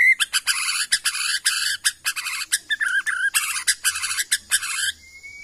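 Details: White-rumped shama from the Kalimantan forest of Borneo, kept as a songbird, singing a dense run of rapid, loud, varied whistled and chattering phrases with short gaps, ending in a thin rising whistle.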